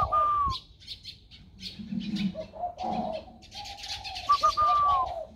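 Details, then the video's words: Spotted dove with a freshly matured warm voice, 16 February 2020. Soft low coos are mixed with two clear descending whistles, faint chirps and scattered background rustling. "Cu gáy mới nổi giọng ẤM"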